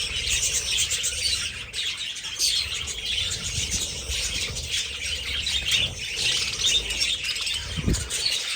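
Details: Dense, continuous budgerigar chatter of high chirps, warbles and squawks from many birds at once in a breeding colony aviary of about 100 pairs, with fighting and loud noise.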